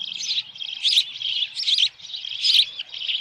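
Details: Osprey calling at its nest with a headless fish, Dunrovin Ranch, evening of 10 June 2018. Insistent high whistled chirps pulse roughly every three-quarters of a second, each burst climbing slightly. Captured by a nest camera.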